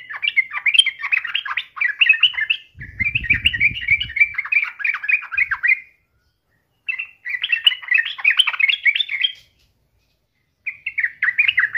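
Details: Sooty-headed bulbul giving lively bursts of chattering, bubbly phrases, each a few seconds long with short pauses between, with a brief low thump partway through, used as a daily lure to get other bulbuls singing.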